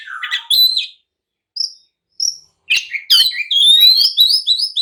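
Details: Oriental magpie-robin singing in an agitated mood to goad rivals into replying and fighting: a few isolated clear whistles separated by silences, then a dense, fast stream of rising whistled notes and chips.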